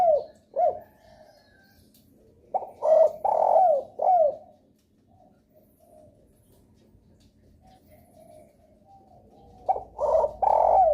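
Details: Spotted dove calling as a lure for other doves: two quick single coos, then a four-note phrase of husky, descending coos, a long quiet pause, and the next phrase starting at the end.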